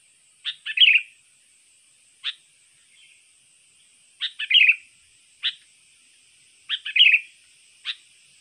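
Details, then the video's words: Persistent lure song of a trained sooty-headed bulbul, also used to tutor contest birds: crisp chirps and quick bubbling phrases in clusters every couple of seconds, with lone chirps between and a steady faint hiss. "pikat burung kutilang Bagus gacor ampuh tahan seharian"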